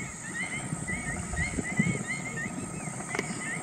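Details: Whiskered tern calling at Pong Lake: rapid run of arched, slurred notes repeated several times a second, fairly even in pitch, with a brief knock partway through and a low rumbling background.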